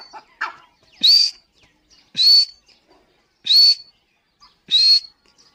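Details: Female grey francolin, a Dakhni teetar, gives a series of four piercing whistles, each rising and then flattening, repeated roughly every 1.2 seconds, with a soft lower chirp at the start.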